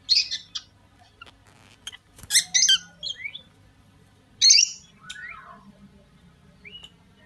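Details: Pair of lovebirds chirping: scattered short, shrill high squawks and squeaks in brief bursts, with a few downward-slurred chirps and quiet gaps between calls.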